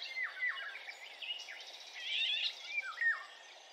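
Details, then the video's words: A male Eurasian golden oriole in the Territorio Lince area, Spain, on 31 May 2021, gives short, fluty whistles that slur downward, several per second, over busier chattering that may come from other birds. "Oropéndola macho"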